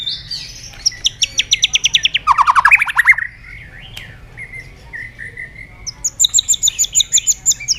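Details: White-rumped shama song from a lure recording: a rapid rattle of high notes drops into a lower fast trill, soft sliding whistles follow, and a very high ringing trill ends the phrase.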